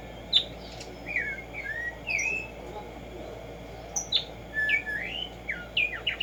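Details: Black-striped sparrow, locally called Tumba Yegua or tico tico, singing: slurred whistled notes around mid pitch with sharp downward strokes, then a rising cluster of quick notes at the end, over a steady low hum.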